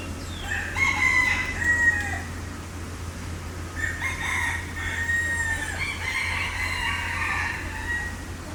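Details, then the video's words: Green peafowl calling repeatedly: a loud, brassy call with a slight downward slide, then a second series of harsh, ringing notes a few seconds later, with a constant low hum underneath. "Green Peacock"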